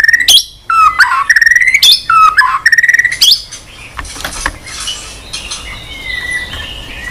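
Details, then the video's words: Singing white-rumped shama, with long-lasting, varied song and tail flicks on the perch: three seconds of loud whistles, some steady, some swooping sharply upward, then quieter murmuring notes and background noise. "kích chòe lửa hót cực bền.hót liên tục"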